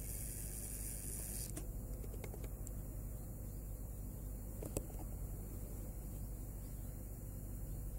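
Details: Steady low hum and hiss with a few soft clicks and taps; no animal calls are heard.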